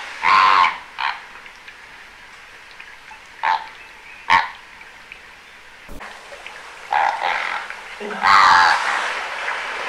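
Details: Greater flamingos at a very noisy bird hide in Aiguamolls Natural Park, Spain, on 25 January 2022, in winter: harsh, nasal, goose-like honks in short irregular bursts, some clustered, with quiet gaps between them.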